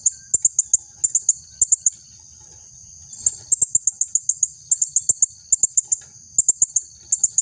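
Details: Female blue-crowned hanging parrot calling actively, used as a tutor recording for other birds and to lure males, inviting them to fly: very high, sharp, piercing notes in quick bursts of three to five, repeated every half second or so, over a steady high hiss.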